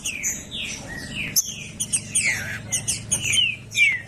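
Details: Loud green-winged saltator song meant to warm up a silent bird: a busy run of short slurred whistles and high chirps, several notes sweeping downward, with a steady low hum underneath.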